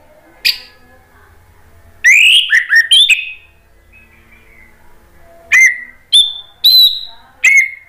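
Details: Orange-headed thrush singing to provoke rival thrushes to answer: clear, slurred whistled phrases, some falling and some rising, delivered in separate short bursts with quiet gaps, ending in a run of four spaced whistles.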